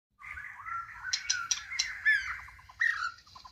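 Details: White-rumped shama singing a varied, melodious phrase of rich whistled notes, some sliding and some clipped, with brief sharp higher accents woven through the sequence.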